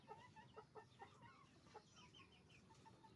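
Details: Hens and roosters calling at a chicken farm, heard softly over a constant low rumble: clipped, evenly spaced clucks joined by higher chirping notes from several birds.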